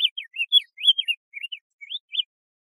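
A diademed tanager sings a quick run of about ten sweet, slurred whistled notes, rising and falling, over two seconds in otherwise quiet surroundings.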